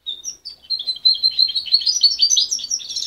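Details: A young goldfinch hybrid, reared by its mother and separated at 23 days, pours out a continuous rapid twittering warble of high, tumbling notes that grows louder and busier. The song is still jumbled, though it shows promise.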